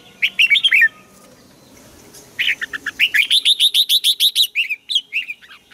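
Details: Bird singing in Thailand, Asia: a short burst of sweet, slurred whistles, a pause, then a long, rapid series of sharp, evenly repeated chirping notes with high overtones, ending in a few looser whistled notes.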